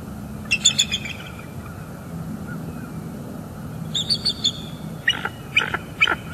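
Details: Bald eagle pair at their northeast Florida nest, morning, December 2021, vocalizing around mating while incubating; scattered thin, high chittering notes in brief clusters, with a rapid run of sharp piping near the end over low rumble.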